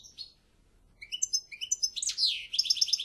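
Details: Goldfinch song fragment: soft chirps, a run of paired high notes, then a loud sweeping slur and a fast tinkling trill.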